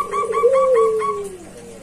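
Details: Zebra dove calling loudly at a rival: a long, low, soft coo that rises slightly and then slowly sinks, overlaid with a few short higher notes at the start.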